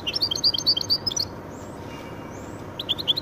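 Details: A goldfinch-canary hybrid gives a quick run of loud, ringing chirps, falls quiet apart from a couple of faint high slurs, then starts another rapid phrase.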